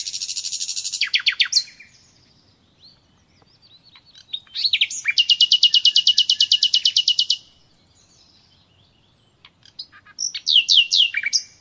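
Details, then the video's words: Common nightingale, natural song: a loud stuttering series of sharp notes, a quiet gap, then a long machine-gun trill of identical pulses for three seconds, followed by a further rapid phrase. "Doğal Bülbül Sesi Dinle"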